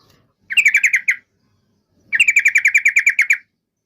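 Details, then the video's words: Yellow-vented bulbul giving two quick rattling bursts of crisp, repeated notes, a short run and then a longer one of about a dozen. "SUARA BURUNG TRUCUKAN"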